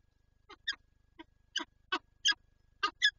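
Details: Peregrine falcon pair at a nest with an egg in Lublin, Poland, on 19 March 2022: short harsh, rasping notes in an irregular series, about eight within three seconds, over a faint low steady hum.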